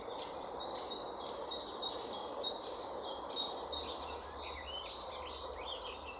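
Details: European pied flycatcher pair, male and female; a busy run of high chirping and twittering notes throughout, partly masked by a steady low rumble of background noise.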